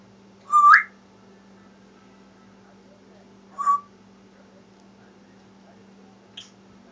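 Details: Adopted pet African grey parrot, a female, heard from another room where she cannot see the recorder: two upward-swooping mid-pitched calls a few seconds apart, then a faint short click; indoor hum in the background.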